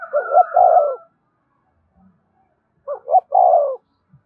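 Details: Played to captive birds so they call along all day, spotted dove song: two phrases of two quick upward coos then a long sliding-down hoot, a faint whistle over the first.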